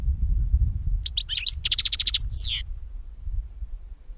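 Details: Goldfinch song used to lure birds for capture: a few tinkling notes open into a fast dry rattle repeated about three times a second, ending in a falling slurred note; low rumbling noise throughout.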